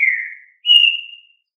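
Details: Green-winged saltator, fibra song style: two pure whistled notes, a steady lower tone fading out, then after a short gap a higher, brighter sustained whistle that tapers away, heard alone.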